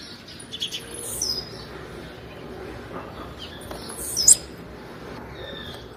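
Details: Female call of the blue-black grassquit, given to stimulate males. A single sharp, high chirp near the end follows a couple of faint thin whistles against low background noise.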